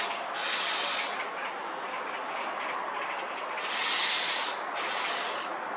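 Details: Black-naped oriole along the Gongneungcheon stream, Korea, on a hot summer day, reacting sensitively to a visitor, possibly with a nest nearby; harsh, hissing, nasal calls about one second long, repeated in bursts.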